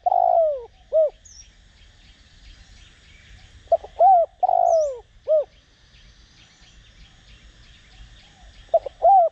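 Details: Decoy spotted dove in Đồng Rặc voice style cooing to draw out rival birds; phrases of long falling coos followed by short hoots, repeated, with faint higher chirping of other small birds in the background.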